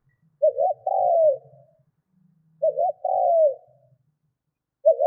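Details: Decoy spotted dove cooing for wild-bird luring: a rippling double note then a long descending coo, repeated roughly every two and a half seconds, with a soft low hum underneath.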